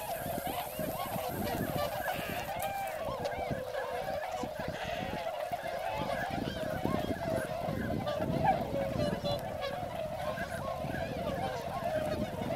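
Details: Swans crowded at their Motono wintering grounds in Chiba, Japan, mixed with many northern pintails; a steady wall of honking from the flock, joined by low rumbling noise and some nearby human sounds.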